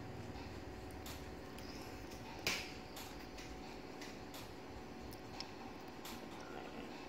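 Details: Quiet background hiss with scattered soft clicks and one sharper snap, but no crowing or other animal voice.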